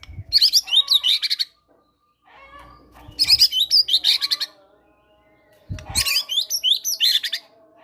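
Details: White-rumped shama, a fighter-type bird singing busily and showing off great tit mimicry, used as a prompting recording to make quiet birds sing. Three bursts of high, jumbled chirping and whistled phrases come about every two and a half seconds.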